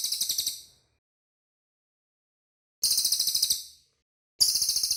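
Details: Cililin bird in a clean, clear tutor recording for training cage birds: rapid bursts of very high, sharp ticking notes, about a dozen per burst, each burst under a second and separated by pauses of silence.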